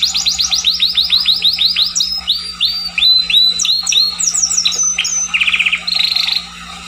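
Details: Scotch Fancy canary song beginning with a rapid series of falling slurred notes, roughly three a second, then drawn-out whistled notes, a short buzzy trill and a flat high tone, with low hum behind.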